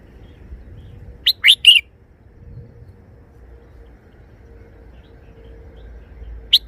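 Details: Three-syllable song of a caged red-whiskered bulbul: a fast trio of sharp whistled notes, followed after a long quiet pause by one more brief note, with a faint steady hum behind.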